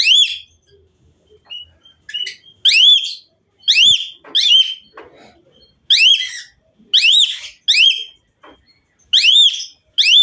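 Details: Asian pied myna singing energetically: loud, clear, arched whistles with rich overtones, delivered in irregular clusters, with softer short notes and quiet gaps between.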